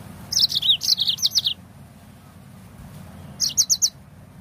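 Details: Yellow-fronted canary song used to coax other birds into singing: a rapid run of bright, high, slurred chirps, a pause, then a shorter burst of four quick notes over faint low hum.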